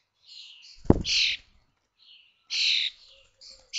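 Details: Young common starlings in a monitored nest box at Théding on 19 May 2024, fledging day, 21 days old: two short hoarse, hissy rasps separated by silence, with a sharp knock and fainter scratchy calls.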